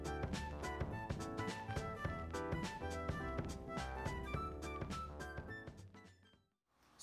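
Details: Upbeat instrumental music with drums, bass and stacked tones fills the recording, fading out near the end, with no animal calls.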